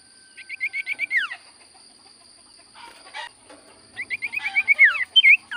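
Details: Sirtu cipoh (common iora) song: rapid series of short rising chirps about eight in a row ending in a falling slur, a quiet gap, then another accelerating chirp series and a looping whistle; faint steady electronic hum.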